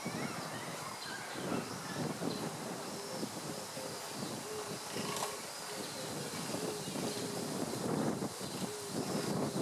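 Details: Small grey heron chicks at a heronry with many nests, Sendai-bori River Park "wild bird island", Koto Ward, Tokyo, 27 April 2014, give a steady, rapid ticking chatter with thin nasal notes over outdoor noise.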